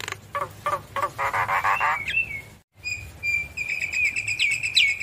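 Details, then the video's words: Javan myna in energetic song: rapid grating pulses building into a buzzy rasp, a short silence, then sustained high whistles laced with quick rising squeaks. "Jalak kebo Gacor Manggut Manggut Memancing Emosi Jalak Kebo Malas Bunyi Langsung Nyaut"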